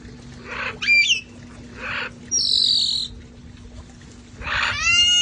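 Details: Flock of sanctuary parrots relaxing outdoors before it got cold; rough squawks alternate with clear whistled notes, a long high drawn-out screech, and a final rising harmonic whistle, over a faint steady hum.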